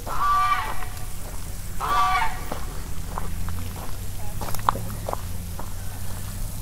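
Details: A goose at Constitution Park, Cumberland, Maryland, USA, on 2 July 2021 gives two loud, nasal honks about two seconds apart, then falls quiet; low rumbling handling noise and faint clicks continue underneath.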